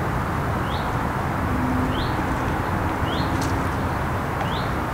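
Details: Grey wagtail at Kemnader See on 30 July 2020 at 19:45 (evening), giving four thin, high upslurred call notes about once a second over a steady low rushing roar.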